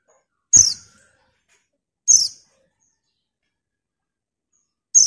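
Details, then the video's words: A female white-eye calls out to a male. Three sharp, very high descending chirps repeat about every one and a half seconds against a silent background. "TERIAKAN PLECI BETINA MEMANGGIL JANTAN"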